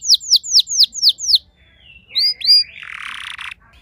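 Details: Domestic canary, not usually a keen singer, answering another bird's song: six loud, clear notes sweeping downward in a row, a pause, two rising whistles, then a buzzy, rasping stretch.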